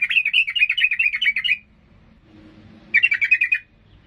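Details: Fired-up yellow-vented bulbul giving fast rolling warbles meant to enrage opponents: a bubbling run of about a dozen notes, a brief pause, then a shorter matching burst, with a low murmur underneath.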